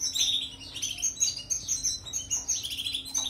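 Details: European goldfinch, recorded as a teaching song for canaries: fast, jangling twitters with slurred falling notes and buzzy fragments, delivered almost without pause; a low steady hum underneath.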